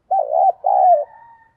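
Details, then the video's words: Spotted dove kept as a decoy to lure wild doves, giving two loud, low hollow coos, the second longer and falling slightly, followed by a faint lingering tone. "tiếng cu gáy - Chim Cu Mồi Thúc Và Gáy Gọi Dùng Kích Bổi Hiệu Quả"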